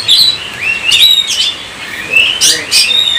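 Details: Kacer song phrases: looping whistled notes and slurs from an Oriental magpie-robin, interrupted by loud, harsh, noisy bursts.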